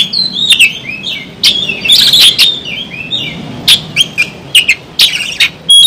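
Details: Oriental magpie-robin singing loudly while fighting with its tail spread. Rich, varied whistled phrases are broken by sharp clicking notes in quick bursts, with short pauses between them and a quiet background.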